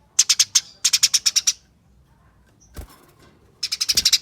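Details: Fighting chatter of Eurasian tree sparrows used to lure others into calling: two quick runs of harsh chips, a pause with a single knock, then another fast burst.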